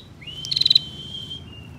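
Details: Female bar-winged prinia in close ngebren churring, used as master song for training songbirds: a thin high whistle running under a quick burst of rapid pulsed notes, over a faint low background hum.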